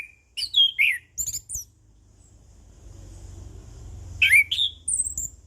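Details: Orange-headed thrush giving 'ngeplong' style song, short bursts of high whistled and squeaky notes at the start and again near the end, separated by a quiet gap with low steady hum.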